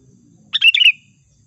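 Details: Sooty-headed bulbul calling as a trapping lure, one quick bubbly phrase of several liquid whistled notes run together, ending in a falling slur, with no other sounds.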